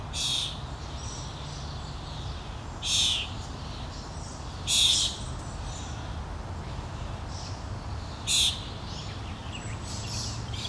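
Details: Common starling fledgling being fed by its parent on a lawn in Helsinki, Finland, June 2013: harsh, rasping, hissy bursts recur every two to three seconds over a steady low background rumble.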